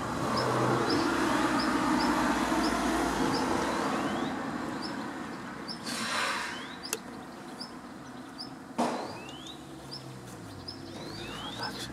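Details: Female common redstart waiting before the nest with a butterfly in her beak, calling closed-billed to alert her young to her arrival: thin, rising whistled notes about every half second, over steady background rumble with a couple of sharp knocks.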